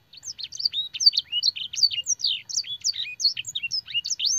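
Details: Training song of a canary with blackthroat and sanger fill, crisp bright notes in rapid succession, upward and downward slurs mixed with short sharp chips at high pitch.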